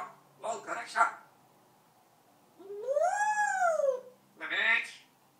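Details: Talking parrot indoors, kept two years and known for singing a march: clipped speech-like syllables, then a long arched, whining tone rising and falling, then another short spoken burst.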